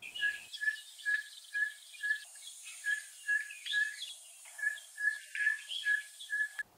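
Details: A Cape Batis in Southern Africa gives a steady series of short, clear whistled notes, about two each second, all on one pitch, with faint higher bird notes behind.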